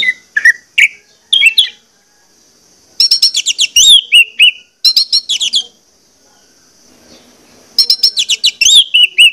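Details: Lure song of an orange-headed thrush meant to make birds sing: rapid rattling series of clipped whistles ending in descending slurred notes, repeated in three loud bursts with quiet gaps.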